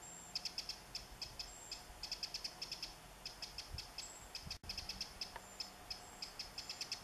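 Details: Eurasian wren gives hard, dry ticking calls in quick clusters, repeated steadily, while carrying food to its young on 27 July 2014, with a high buzzing grasshopper underneath.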